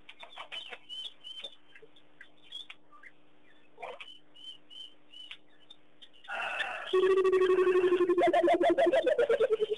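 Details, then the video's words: Burchell's coucals singing at Pete's Pond, Mashatu Game Reserve, Botswana, on January 21, 2010, while cattle egrets dance. Faint high chirps and whistles come first, then a loud, rapid series of deep hooting notes that falls in pitch, about four per second. "Egrets Dance to the Coucals' Song"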